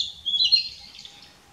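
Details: Singing Narcissus flycatcher perched on a dead branch, 6 May 2016, rotating among song posts, recorded with a Nikon P900; a single brief high warbled phrase that rises and then fades away.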